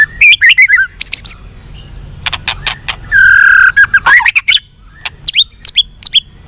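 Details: Song of a white-rumped shama, a fighter recording used to rouse captive birds: quick downslurred whistled phrases, scattered sharp ticks, a held buzzy note near the middle, then more varied whistles and clicks.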